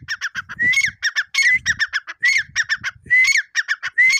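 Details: Insistent grey francolin calls, a rising whistled note alternating with quick harsh, stuttering syllables in rapid succession, with soft low rumbling sounds underneath.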